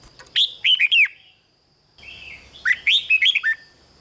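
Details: Red-whiskered bulbul song played to excite caged birds: two bursts of rich, slurred whistled phrases, rising and falling, split by a second of quiet, with a steady faint high tone behind.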